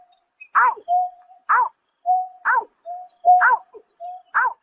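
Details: Night calls of a greater painted-snipe, March 2024: flat, level whistled tones interleaved with bright, descending, harmonic-rich bursts, repeated roughly once per second with no other sounds.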